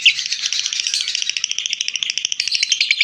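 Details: Lovebird chattering, part of a ngekek recording for training other birds; dense, slightly rattling high notes with a rough, less even rhythm and some echoey background.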